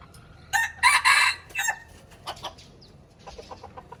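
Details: Aceh red junglefowl on a lure recording gives a short, rough crow in three quick bursts, followed by scattered soft clucks and chips.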